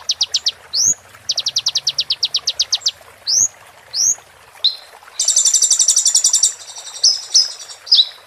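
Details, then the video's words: Oriental white-eye (konin) song: rapid, high, even-paced trills of sharp notes, broken by quick upslurred whistles and a dense buzzy burst near the end. "MASTERAN KONIN FULL ISIAN ROLL TEMBAK"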